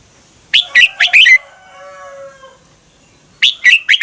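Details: Thai caged Red-whiskered bulbul song used to teach or stimulate other birds: short phrases of four loud whistled, warbling notes, a faint lower tone between, then the phrase starts again.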